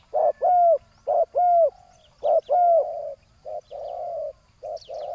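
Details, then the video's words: Ground-set decoy spotted dove answering a big-voiced rival: mellow hooting coos, several with a downward-bending whistled tail, coming in uneven clusters, then longer flat drawn-out coos, with faint higher bird chirps. "ต่อนกเขาใหญ่ต่อดิน จ้าวBBRตามล่าเชลยเสียงใหญ่คูให้หลบเลน"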